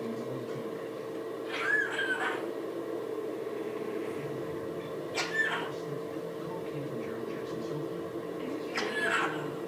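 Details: Pet parrot indoors, coughing in imitation whenever the owner's wife coughs. Three short, harsh, breathy cough-like bursts about three and a half seconds apart sit over a steady low household hum.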